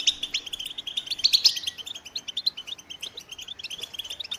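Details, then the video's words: American goldfinch singing a long, rapid run of high twittering notes, bright chirps and short trills packed closely together, with a louder burst of sharp notes near the middle and a faint low hum underneath. "The Joyful Songs of Goldfinches"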